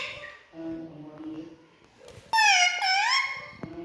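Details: Pet Indian ringneck parrot talking to its reflection in a mirror: soft low voices at first, then a loud, nasal, speech-like phrase with a sliding pitch and a short click.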